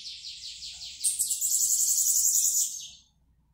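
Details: Bananaquit in song as it comes out of moult: a rapid pulsed buzz that jumps higher into a shrill, hissing trill for about two seconds before fading out.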